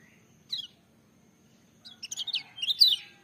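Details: Lemon-bellied white-eye song fragment: one short high sliding note, a pause of over a second, then a quick tumble of sharp, high twittering notes closing the phrase, over a faint low hum.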